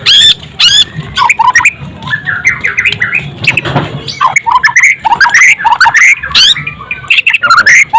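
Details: Murai batu, the white-rumped shama, pours out a dense, fast medley of sharp chattering bursts and shrill whistled phrases, with hardly a pause and faint background murmur.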